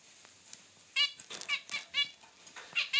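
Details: A male and a female zebra finch kept as pets exchange calls: after a quiet second, a string of nasal honking beeps comes at irregular intervals, some doubled, over faint room noise.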